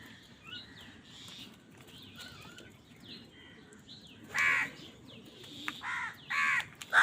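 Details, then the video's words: Crow calling while fighting over food, with four hoarse caws in the last few seconds after a quieter stretch of small-bird chirping. "কাকের ডাক Crow Sound Crow ki Awaz Loudly | Crow bird Fight for Food"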